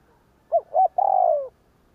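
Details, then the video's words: One complete 'gù kích' phrase from a spotted dove, a coo meant to provoke wild birds: two short bouncing notes, then a long buzzy coo sliding downward at the end. "Tiếng cu gáy gù kích chuẩn / Chim cu gáy gù kích bổi chuẩn nhanh nổi / Cu gáy gù phóng"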